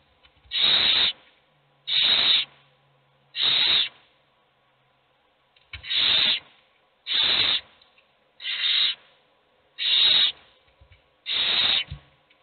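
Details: Owl chicks all hungry, only one eating: eight breathy begging hisses in a fairly steady series, with a slightly longer pause after the third.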